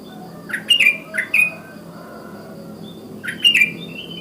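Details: Morning calls of a wild sooty-headed bulbul, used to prompt other bulbuls to sing: two quick bubbly chirped phrases early on, a pause, then another similar bright phrase, over a steady low hum.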